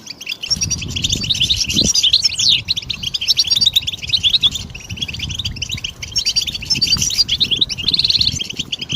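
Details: Goldfinch song used for stimulating birds, a continuous run of bright liquid twitters, trills and quick chirps with a few buzzy notes near the end, over steady low background rumble.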